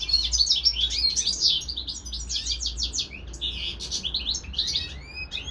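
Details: Caged European goldfinch, housed with a hybrid companion, delivering quick tinkling twitters and slurred chirps in a continuous, uneven stream.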